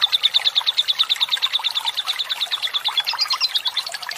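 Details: Long lovebird ngekek song, meant to stimulate other lovebirds to sing, over running water: a brisk, even series of sharp high chirps about three per second, lifting slightly near the end.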